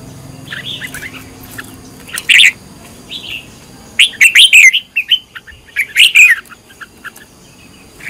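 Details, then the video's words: Red-whiskered bulbul trained to sing as a decoy, delivering a brief opening note then two energetic phrases of bubbling, rapidly modulated whistles about two seconds apart. "Cách luyện chào mào mồi - căng lửa| luyện chào mào thành mồi, luyện giọng chào mào hót hay"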